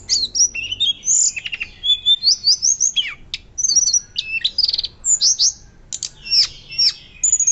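Hill blue flycatcher singing a fast, varied run of high, sweet whistles and trills, with quick rising and falling phrases, nearly continuous.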